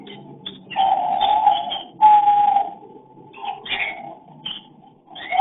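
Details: Breeding cockatiel caught on hidden camera giving its mating call: long, level whistled tones, the second one bright and clear, broken by short bursts of higher chirping.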